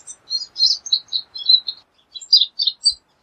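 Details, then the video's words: Pine siskin (Spinus pinus) calling: short, high, squeaky chirps and twitters in a loose series, about a dozen notes, then a brief pause and a few more clipped chips. "Pine Siskin Song! Pine Siskin Call! Pine Siskin Sound! - Jilguero De Los Pinos Canto"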